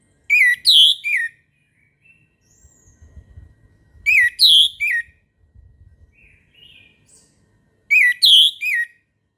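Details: Orange-headed thrush in morning song, delivering the same three-note whistled phrase three times at roughly four-second intervals, with soft high twitters and faint low rustling in the pauses.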